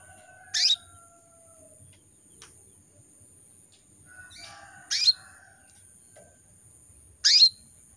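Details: Female canary in breeding condition calling males: three sharp, high chirps a couple of seconds apart, with faint thin whistles from other birds between them.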